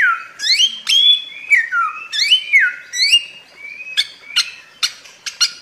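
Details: Bare-throated whistler, known locally as samyong, a Flores endemic. Rich whistled phrases with rising and falling slurs come first, then sharp clipped chips toward the end, with gaps in between.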